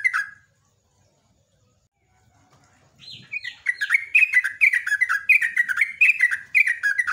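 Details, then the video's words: Morning 'ropelan' song of a yellow-vented bulbul, a lively singer used to lure other birds into song. One brief phrase, a quiet lull, then a fast continuous run of chattering, bubbly falling notes with no other sounds. "TRUCUK/JOGJOG ROPELAN PAGI"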